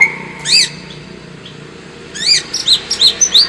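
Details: White-rumped shama lure song played to make the bird more combative: a high chirp, a long pause over faint background hiss, then a quick series of high, sharply inflected chirps.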